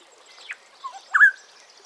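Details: An African Black-headed Oriole (Oriolus larvatus) gives a brief phrase: a falling note, a short low note, then a louder, liquid, level whistle, over a quiet background.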